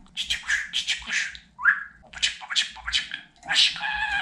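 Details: Pet budgerigar chattering indoors in quick raspy word-like syllables, a single short rising whistle in the middle, then more chatter ending in a drawn-out nasal phrase.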